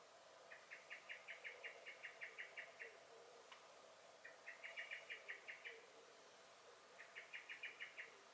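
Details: Common blackbird giving alarm calls in a garden, 23 May 2021: three bursts of about ten quick, hard chinking notes each, the bursts separated by pauses of about a second.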